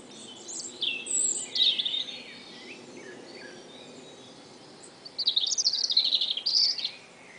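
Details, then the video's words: American robin song in spring: two short bursts of quick, high, chirpy warbled phrases a few seconds apart over a steady background hiss. "song of the Red Robin"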